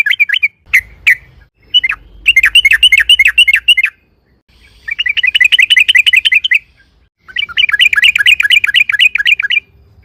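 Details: Loud yellow-vented bulbul song meant to provoke other birds to reply: a few sharp single notes, then three long bursts of rapid, chattering repeated notes separated by brief silences, over faint low noise.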